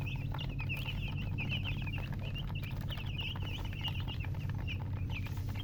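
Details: Several baby chickens give rapid, high-pitched peeps that run together into a steady twittering stream, set against a loud low background hum.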